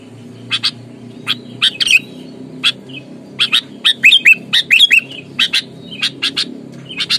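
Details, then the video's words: Sooty-headed bulbul, a caught bird said to be fierce and fighting, giving sparse dry chips that build into a dense burst of harsh notes and downward whistles, over a constant low hum. "Kutilang gacor, galak, tarung, full suara alam, bikin emosi lawan"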